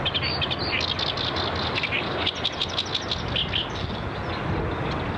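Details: Great reed warbler met at a pond: a choppy stream of grating, rapid chattering notes, some brief squeaky elements mixed in, set against constant low-pitched mechanical background noise.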